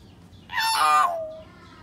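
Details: Common hill myna, played to coax a silent bird into singing: a loud, nasal, meow-like note, harsh and harmonic, sliding down into a long fading tail, over low steady hum.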